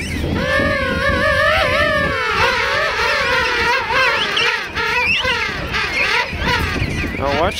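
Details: Huge colony of thousands of king penguins at Right Whale Bay, South Georgia, Christmas morning 2008: overlapping loud, trumpeting calls with wavering, buzzy harmonics, near a flapping chick; human voices nearby.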